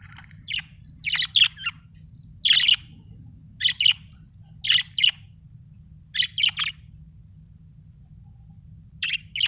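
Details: Happy budgerigar chirping: short bright chirps and squawky notes in small clusters of two or three, spaced irregularly about a second apart, clean and close with little background.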